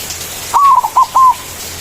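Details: White zebra dove manggung phrase, used to lure and call rivals: a drawn-out falling coo, a short dip, two short bursts, then a level final coo lasting about a fifth of a second, with little other sound.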